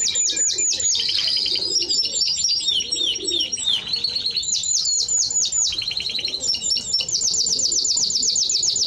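A Timbrado Español canary sings nonstop, high and bright, with rapid rolling trills and runs of repeated metallic notes changing every second or two.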